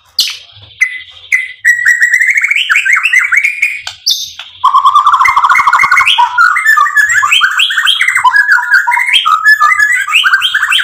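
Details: White-rumped shama singing to provoke and excite: clear whistled notes opening, then a long continuous stream of fast, varied chattering and trilled phrases stepping up and down in pitch.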